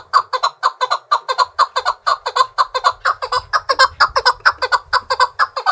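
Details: Trained fighting Chukar partridge in full challenge song, a clear, evenly spaced string of sharp chuck notes, about two each second, with slight low rumble in the middle.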